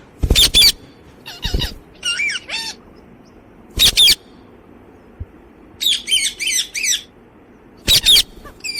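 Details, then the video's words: Alexandrine parakeet calling in loud, harsh screeches spaced a few seconds apart, mixed with shorter wavering, nasal notes and rising squeaky calls between them. "Parrot Talking and Parrot Sound"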